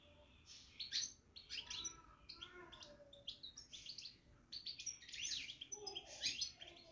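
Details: European goldfinch babbling in a cage: continuous lively twitter of high, tinkling and buzzy notes, with rapid rising and falling chips run together in a busy stream and a few lower soft notes beneath.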